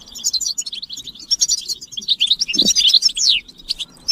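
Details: Collective European goldfinch chirping meant to push males to sing: a steady stream of sweet, high twittering notes ending in a clear downward-slurred whistle.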